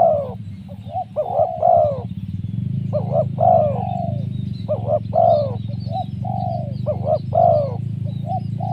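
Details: Spotted dove call used to lure wild doves: rapid series of bouncing doubled notes and slurred falling coos in several phrases, with a louder rumbling low hum throughout.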